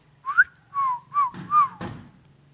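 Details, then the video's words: Talking Indian ringneck parakeet from Pakistan producing four short whistled notes, the first rising, the others level or gently falling, ending with a sharp broadband click or knock. "ringneck|Indian| talking"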